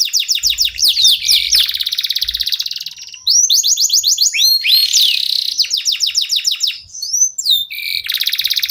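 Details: Local canary singing as a lure to get other songbirds singing: rapid high buzzy trills, descending whistled sweeps and quick rising slurs in abrupt changing phrases, with short soft low thumps early on.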